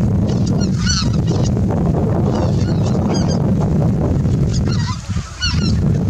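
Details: Greater white-fronted geese at Miyajima-numa marsh in autumn 2020, returning in ones and twos in early morning after leaving the roost; short nasal honks at intervals, several birds, over strong low rumbling wind noise.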